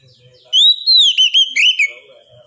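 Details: Oriental magpie-robin (kacer) from Indonesia, a 'mental ngedon' therapy recording for songbird keepers: one clear whistled phrase of slurred, rising and falling notes, ending in a few quick warbled notes. The background is quiet.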